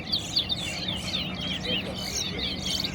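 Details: Competing towa towa at Guyana National Stadium sings sharp chirps and looping warbled notes in quick succession, accompanied by nearby speech and crowd sound.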